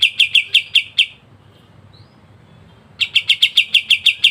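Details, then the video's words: Actively singing kapas tembak in dense ngebren style, used as a training song: rapid sharp high chips, a two-second gap, then the quick chipping resumes. "KAPAS TEMBAK GACOR NGEBREN RAPAT"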